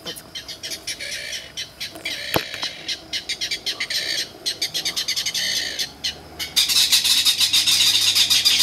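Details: Clapper rail (saracura matraca) at Peruíbe on 13 July, answering a guide's call and approaching; a series of harsh, dry clattering notes about four per second, rising into a denser, louder rattle near the end, with brief human voices.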